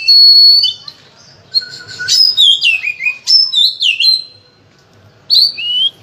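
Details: Oriental magpie-robin with a full-varied song meant to prompt others to sing: a long steady whistle, a pause, then rapid slurred notes and crisp chips, another lull and a final falling whistle.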